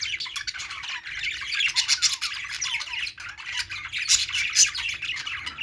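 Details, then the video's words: Several budgies chirping while playing, a continuous busy stream of sharp scratchy squawks and warbled notes with high clicks, no pauses, over a faint low hum. "parakeet chirping sounds | budgies playing sounds"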